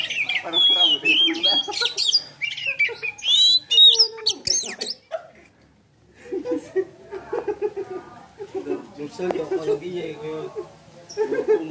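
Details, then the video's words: A tame Asian pied starling sings actively in the evening while waiting to break the Ramadan fast. Its jumbled song mixes clear whistles with harsh, scratchy chatter, then falls quiet as people talk. "Jalak Suren Jinak Gacor"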